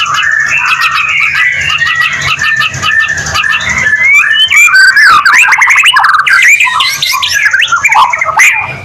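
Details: White-rumped shama in full song, used as a lure to trigger other shamas into singing; continuous warbling whistles and chattering notes building to louder, higher swooping slurs and buzzy trills, with a steady background hum.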